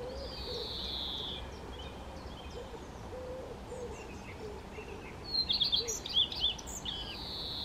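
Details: Common redstart song phrase late on: a quick burst of high, twittering, varied notes. Earlier, a long drawn-out descending high whistle comes from another bird, with soft low repeated hooting notes underneath and constant background hiss.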